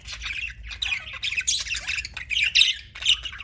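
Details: A pet budgie warbles in quick, scratchy squeaks and chirrups, short notes strung tightly together in several loud bursts.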